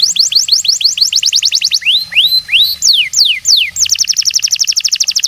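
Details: Canary of the New Zealand Singer breed in full song: rapid rising notes in a quick trill, slowing into several long slurred whistles that rise and fall, then breaking back into a fast, high, rising trill.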